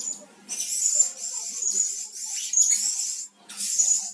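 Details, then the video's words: Lure sounds of the blue-crowned hanging parrot, used to attract birds: sustained very high, shrill, buzzy chattering in two long bursts separated by a brief pause. "Suara-Suara Denak Pemikat Burung Serindit Dada Merah"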